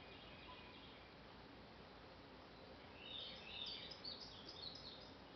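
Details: A Painted Bunting sings along the Intracoastal Waterway near Airlie Gardens, Wilmington, North Carolina, a short, high, sweet warbled phrase of quick chirpy notes near the end, over a steady background hiss; a mockingbird and tree frog are also said to be audible.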